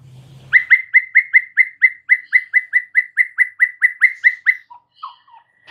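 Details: White-rumped shama song meant to trigger a quiet bird into singing: a fast even series of about twenty loud clipped whistled notes, then a few softer lower notes.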